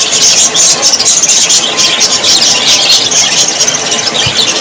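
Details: Happy Australian parrots, budgies, keep up a loud, even chatter of overlapping high chirps, squeaks and warbles without any pause.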